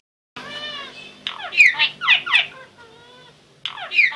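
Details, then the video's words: A starling sings a jumble of sounds: thin whistles give way to a run of harsh, rattling squeaks, then a soft whistle and another burst of chatter. "Starling Bird Singing"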